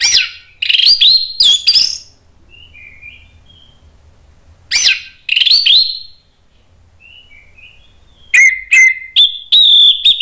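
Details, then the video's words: Orange-headed thrush in agitated song, used to provoke other birds into singing; loud strong phrases of sharp mixed notes recur with quiet soft twittering in between, ending in rapid clipped whistles at a steady pitch. "ANIS MERAH spontan EMOSI NRATAK terus NGEPLONG ¦ PANCINGAN AM"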